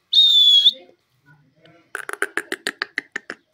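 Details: Male and female parrots squabbling: one piercing, harsh screech opens, a brief pause follows, then about a dozen rapid clipped chattering notes repeated evenly to the end.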